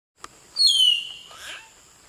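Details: Common hill myna singing in Nagarahole National Park: a loud, clear whistle sliding down from high to mid pitch, lasting about half a second, followed by a softer harsh, rasping note.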